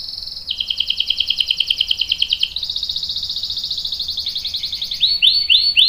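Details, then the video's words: Vigorous canary song meant to trigger other canaries to reply: continuous fast rolling trills in long sections at slightly different pitches, ending in a few loud swooping whistles. "PANCINGAN KENARI GACOR CUIT CUIT bikin NYAUT ikutan BUNYI Ngerol panjang | CANARY SINGING"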